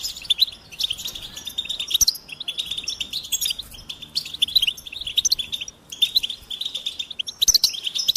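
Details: Goldfinch singing in bursts of rapid, high twittering and chirped notes with short buzzy trills, separated by brief pauses; no other sounds stand out.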